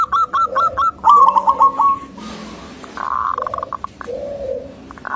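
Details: Local Indonesian zebra dove with a thick, rhythmic, melodious voice said to rile other zebra doves: a quick run of short staccato coos breaks into a rolling trill, followed by a second trilled phrase and a softer, lower warbling coo.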